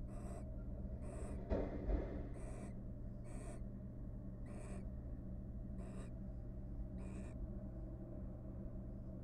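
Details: Courting wild barn owls in their nest box after rearing three nestlings give a series of short raspy hissing bursts, roughly one per second, with a brief scuffling thump midway and a constant low hum behind.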